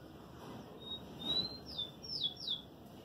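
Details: Caged lined seedeater in moult of feathers and beak gives a short burst of clear, high whistled notes: one sustained tone, then two quick downslurred whistles near the end, over faint background hiss.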